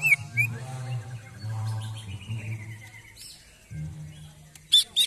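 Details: Greater green leafbird, agitated after its first song contest, singing hard: sharp high chirps open and close the passage, with a long slurred descending whistle in between over a low steady hum.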